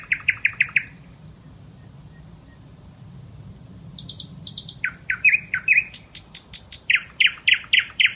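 A bulbul gives quick runs of bright, chirpy notes, some rising to thin high squeaks, in bursts about four per second with a short quiet gap between.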